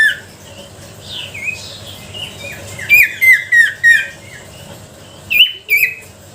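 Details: Sooty-headed bulbul song used as a lure to provoke reluctant bulbuls into singing: a series of short, bright whistled notes sliding downward, given in quick bursts around three to four seconds and again near five and a half seconds, over faint background hiss.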